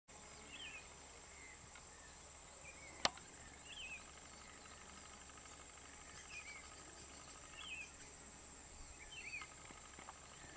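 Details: Crowned Slaty Flycatcher at San Carlos de Río Negro, Amazonas, Venezuela, October 2012, giving faint, thin, slurred high notes roughly every second or two, over a steady high insect-like whine and one sharp click.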